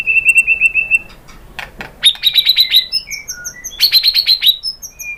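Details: White-rumped shama song played to make other birds answer: fast rattling series of sharp high repeated notes, a few clicking sounds, then another quick rattled burst and scattered thin whistles.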